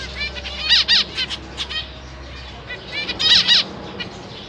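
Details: Captive zebra finch family in May 2023, parents feeding three juveniles and three new babies. Loud clusters of bright, nasal beeping calls come in two bursts, around the first second and again after three seconds, with quieter notes between them.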